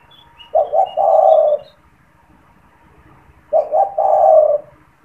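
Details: Spotted dove kept caged and cooing readily, used as a lure for wild doves: two phrases three seconds apart, each two short coos then a long mellow low coo, with faint bird chirps in the background.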